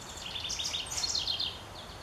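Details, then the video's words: A house wren sings a quick, bubbling jumble of high chattering notes that tumble and run together for about two seconds, over faint outdoor hiss. "House Wren sings"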